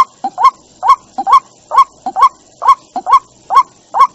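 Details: White-breasted waterhen call used as a lure: harsh nasal notes, each a short low grunt sliding into a rising honk, repeated steadily about twice per second with a thin steady high tone behind.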